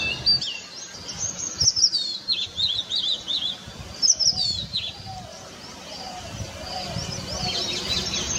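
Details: Indian robin at sunset, singing from a treetop near a balcony and garden in Ranchi, Jharkhand: short, high, chirpy warbled phrases in two bursts, with a soft hiss of distant birds or insects toward the end.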